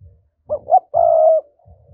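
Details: Lure recording of a spotted dove's thúc-style coo for trapping wild doves: two short rising notes, then one sustained low hollow coo, with soft low thumps underneath.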